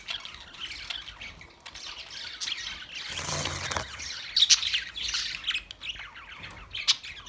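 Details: A flock of budgerigars warbles and chirps nonstop in high, twittering phrases, with a brief rustling burst in the middle and a few sharp squeaks standing out.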